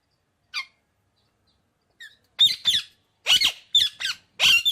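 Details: Indian ringneck parakeet making sharp, squeaky, high-pitched calls. A lone note is followed by a pause, then rapid clusters of scratchy chirps in pairs and triplets. No other sounds are heard.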